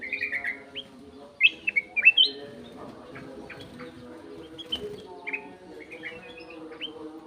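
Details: Aviary golden-fronted leafbird with a clear voice sings varied whistled notes, some rising and some sliding, in short bursts with pauses, over a constant low hum in the background.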